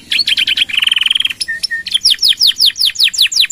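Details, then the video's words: Canary singing a long continuous song used for tutoring other birds: fast buzzy pulsed notes, a rattling trill, two short flat whistles, then a regular series of descending whistled sweeps about six per second. "Suara Kenari Gacor | Full Nembak Panjang!!"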